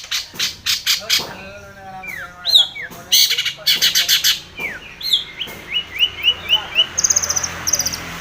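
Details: Long-tailed shrike in lively full voice, calling out a rival: a fast jumble of harsh squawks, chattering bursts and short upslurred whistles, with a run of sharp rising notes near the end.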